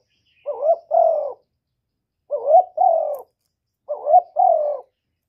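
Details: Spotted dove giving 'một hậu ròng' style calls: three low, mellow two-part coos, each a quick rising note then a longer falling coo, spaced about 1.7 seconds apart against a silent background.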